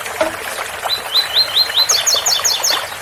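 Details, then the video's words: Double-collared seedeater singing the special tui-tui song, Ouro Fino style, with a water-spout sound: a run of rising whistled notes, then a series of quicker, higher doubled chips, over a soft background hiss. "Tui Tui especial coleiro Ouro Fino com som de bica"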